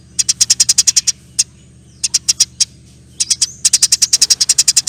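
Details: Lively, long sparrow chattering for songbird training. Rapid chirp runs and spaced single notes build into a dense final burst, with a constant low hum underneath.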